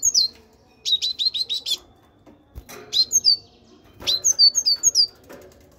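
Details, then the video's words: Caged great tit singing: a rapid run of five high, sharply descending whistled notes, then short bursts of bright, high-pitched chirps separated by brief pauses, over a faint low hum. "الحداد (القرقف) يكسر القفص"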